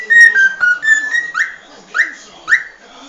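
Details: Cockatiel whistling: four short level notes in a row, then three swift upward-swept whistles spaced roughly half a second apart, with a soft background hiss.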